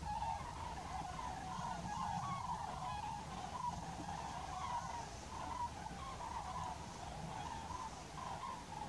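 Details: A flock of common cranes gives a steady chorus of overlapping rolling, trumpeting calls near a temporary pond at Aldeaseca, Ávila, Spain, in December 2023, over a low rumble of wind or distant traffic.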